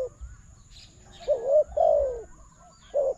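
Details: Spotted dove calling to a decoy during a bird-trapping contest: soft low wavering coos, two drawn-out notes in the middle and a shorter one at the end, over low rumbling background noise and a faint steady high tone.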